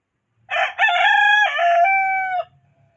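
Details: Crowing from a domestic chicken among a home flock of hens: a loud, rich, harmonic cock-a-doodle-doo about two seconds long, broken into several segments and ending on a long held note, with faint low clucking beneath.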